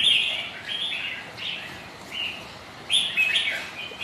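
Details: Kept red-whiskered bulbuls dueling on a rainy, windy day: short, clear whistled notes at the start and another bright, trilling burst near three seconds, over a soft background hiss.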